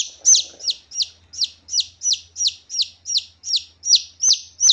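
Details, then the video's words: Wild red junglefowl chick calls used as a lure for trapping junglefowl: loud, clear, high, thin peeping notes falling sharply in pitch, repeated steadily about three times a second with no other sounds. "Suara Pikat Anak Ayam Hutan Kasintu keras dan jernih"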